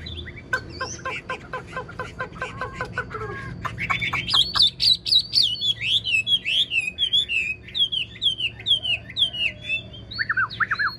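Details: Wild-caught old Chinese hwamei kept caged, noted for its excellent voice; song opens with a rapid series of lower clipped notes, then bursts into fast bright whistled trills and slurred phrases.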